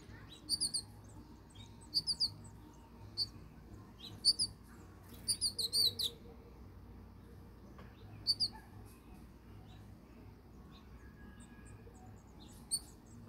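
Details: House finches feeding babies in Michigan; short bright chirps come in separate clusters of two to four notes every one to two seconds, then a longer gap, over a quiet background.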